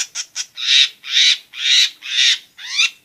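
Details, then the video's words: Long-tailed shrike giving harsh, grating squawks, about two per second, after a couple of short scratchy notes; the sound is used to stir silent shrikes into song. "BURUNG CENDET/PENTET GACOR"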